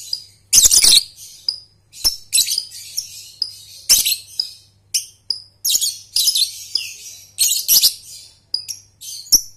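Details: Lovebird trilling (ngekek) for training young birds: repeated harsh high chattering bursts about every half second, with shrill squeaks and loud clicks, over a low hum.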